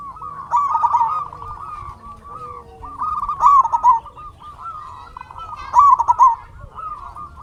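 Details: Local zebra dove singing as a lure to prompt other doves to answer: loud purring coos ending in quick bubbling notes, repeated about every two and a half seconds, over steady cooing from other doves in the background.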